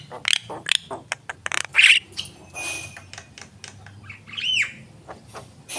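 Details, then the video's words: Energetic Javan myna song made of rapid dry clicks and ticks, broken by a brief buzzy squawk and a few thin high whistles, with quieter gaps between phrases. "jalak kebo gacor"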